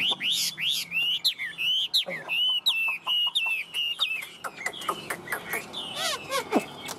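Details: Hand-carried tame Chinese hwamei in full song: loud, clear whistled notes repeated in quick runs, each bending down then up, followed by sweeping slurred phrases and a few sharp rising calls.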